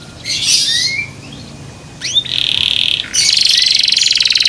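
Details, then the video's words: Small white young canary, tail not yet grown, singing loudly though its song is still incomplete: a rising whistle, a few short whistled notes, a steady buzzy note, then a fast pulsing trill. "THE SOUND OF CANARIES CAN MAKE OTHER CANARIES JOIN TO SING"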